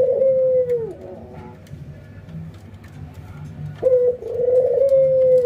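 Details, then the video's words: Caged ringneck doves in a training routine, albino versus local, nodding and laughing; a falling rolling coo, a quiet stretch of faint knocking, then a new phrase opening with a clear note into a vibrating laugh. "puter putih albino versus puter lokal ngangguk dan tertawa"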